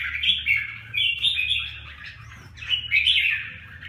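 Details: Red-whiskered bulbul, the Huế 'lân cánh bướm', pours out two bursts of chattering, warbled song with a short quiet gap between them and a low background hum.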